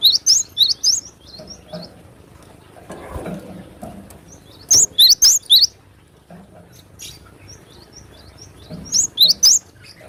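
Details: Wild cinereous tit singing sharply and vigorously in 'besetan' style: three separate bursts of rapid, high, two-note whistled phrases, each note rising then falling, over soft background rustling.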